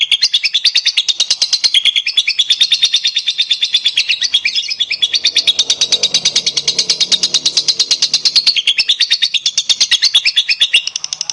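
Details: Lovebird song used to prompt other lovebirds to sing; a long unbroken stream of rapid high buzzy chattering notes, about three per second in pulses, loud and dense throughout with no other sounds.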